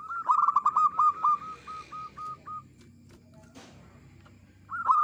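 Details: Zebra dove used for luring, singing clearly: a fast burst of staccato coos slows into about five evenly spaced notes, a quiet spell with a faint knock, then a new loud burst begins.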